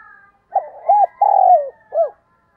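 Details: Morning call of a spotted dove used as a decoy: one cooing phrase of short paired notes, a long drawn-out coo trailing downward, and a last brief rounded coo.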